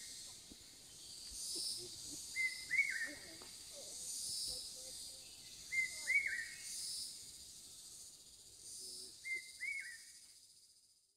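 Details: A Large hawk-cuckoo in Hong Kong, heard but not seen, gives short, rising two-note phrases about every three and a half seconds over a constant high hiss of insects.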